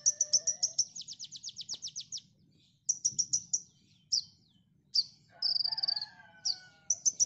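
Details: Konin song recorded to train songbirds: fast rattling runs of high chirps, single sharp notes and a buzzy trill, with another bird's lower drawn-out whistles in the background.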